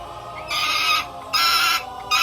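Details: Hooded peregrine falcon, a kept falconry bird, calling repeatedly while wearing its hood. Two long, harsh, grating screeches of almost a second each, and the start of a third, over faint room background.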